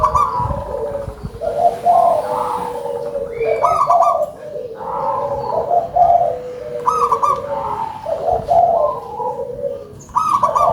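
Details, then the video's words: Several overlapping phrases of a loud local zebra dove singing actively, rapid broken cooing trills rising and falling, about one phrase every two seconds, with a faint murmur of voices early on. "GACOR!!! PERKUTUT LOKAL SUARA BESAR"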